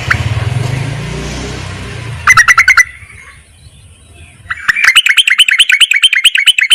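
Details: Yellow-vented bulbul giving the call to males that is used as a lure. A low rumble comes first, then a short burst of rapid, harsh chattering. After a pause, fast, scratchy chattering notes run without a break to the end.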